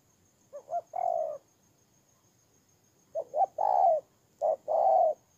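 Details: Decoy spotted dove, a caged ground decoy from Tumorong, Kon Tum, Vietnam, recorded 23 September 2018, gives two cooing phrases about three seconds apart. Each phrase has two or three short notes leading into a drawn-out low coo.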